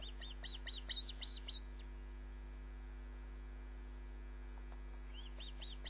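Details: Osprey calling at its nest on a live nest camera, 29 June 2010, 22:34. Rapid high, shrill chirps for the first two seconds, silence apart from electrical hum, then a few more chirps at the end.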